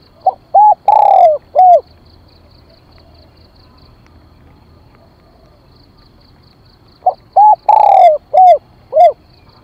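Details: Spotted dove used as a decoy, calling to draw in wild birds. Two five-note cooing phrases are separated by a long pause: brief hoots around a drawn-out, falling middle coo. Soft, high, regular pips are heard in the gaps.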